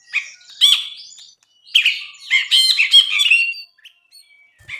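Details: Bulbul song in two bursts, each a rush of harsh chattering and sharp whistled notes, separated by a brief pause, with a few soft thin notes trailing off afterward.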